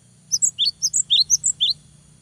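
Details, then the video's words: Lively cinereous tit phrase aimed at provoking a rival: around nine bright, high chirps in quick succession, pitch bouncing between two levels, over a soft low hum. "GELATIK BATU GACOR BIKIN LAWAN EMOSI !!! LANGSUNG NYAUT !!"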